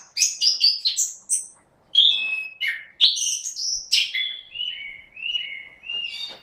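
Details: An orange-headed thrush sings 'gacor': quick clusters of high twittering notes, a brief pause, then mixed sharp calls ending in a series of clear downslurred whistles.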